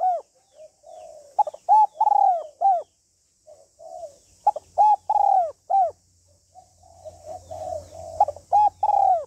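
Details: Female spotted dove giving calling, urging and cooing phrases to stimulate a male: repeated loud, arched, bell-like coos in clusters separated by soft murmuring, low rumble in the background.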